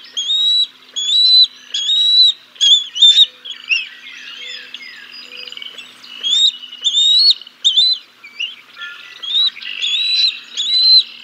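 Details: Wild bald eagles at the Decorah North nest on 6 May 2022, filmed by a live nest cam as the male brings a fish and feeds the chicks before the female takes over: high whistled calls, each slightly rising, in quick irregular runs.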